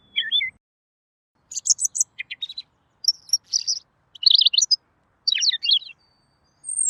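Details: Clear singing from a Robin, recorded to tutor songbirds: short bursts of high chirps, clipped trills and descending whistled notes separated by brief silences.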